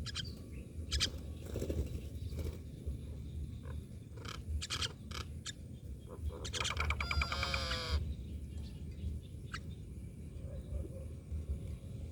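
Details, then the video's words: Myna calling: scattered harsh, clicking bursts, then a rapid run of rising and falling whistled notes near the eighth second, over steady low background rumble. "Myna birds part eighteen"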